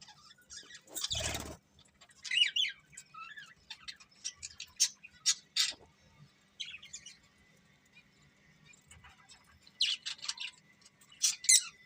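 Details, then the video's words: Pet budgerigars, happy and eating, give scattered bright chirps and short scratchy warbled phrases separated by quiet gaps, with one loud broadband rustle early on and a faint hum beneath. "Happy Budgies Singing and Eating"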